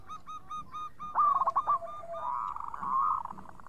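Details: Local zebra dove singing clearly: evenly repeated ringing notes, then loud quick stuttering coos and a long wavering rolling coo that fades out.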